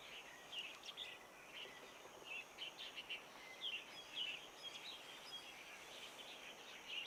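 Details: Daurian redstart perched close in Long Valley, Hong Kong, during winter migration; short high chirps and sharp ticking notes in loose, uneven bursts, with a steady hiss of background noise throughout.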